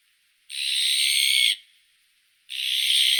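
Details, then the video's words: Two drawn-out, noisy, grating calls from an azure-winged magpie, the first lasting about a second, the second following after a short pause. "Как поёт Сорока голубая (Cyanopica cyana)"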